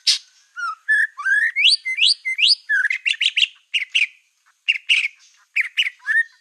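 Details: White-rumped shama of the black-tailed form in full song, used to provoke other shamas into anger: loud rising whistled slurs repeated in a run, then bursts of sharp chattering notes with brief pauses between phrases.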